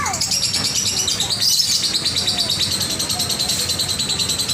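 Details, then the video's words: Lovebird long chatter, played to lure lovebirds that seldom chatter into chattering: dense, continuous, high-pitched buzzy twittering with rapid, even pulsing throughout, over a low background hum. "love bird ngekek panjang"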